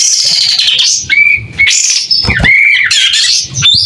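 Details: Pied triller singing persistently while spreading its tail; loud, clear song of sweeping high whistles, a thin steady whistle near the middle, and rapid buzzy and chattering phrases with brief pauses.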